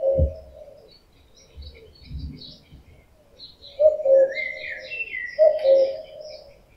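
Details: In summer, a breeding-season male common cuckoo sings loud, deep two-note cu-coo phrases about 1.6 seconds apart, with a low thump at the start and songbirds warbling in the background.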